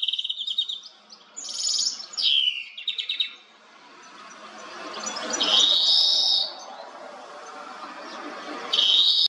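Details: European goldfinch recorded with a Nikon Coolpix P1000 camera, singing high, rapid tinkling twitters and buzzy trilled phrases in short bursts separated by pauses, with a soft rushing noise swelling through the middle and a final bright buzzy note.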